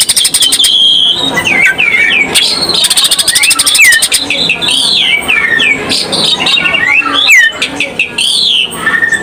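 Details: Greater green leafbird in busy full 'isenan' lure song: many looping whistled slurs, some falling and some rising, interwoven with fast rattling phrases throughout.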